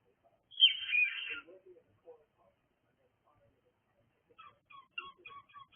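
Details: Pet cockatiel giving one loud, grating screech lasting under a second, then a few soft low chirps, a pause, and a run of quick thin chirping notes toward the end.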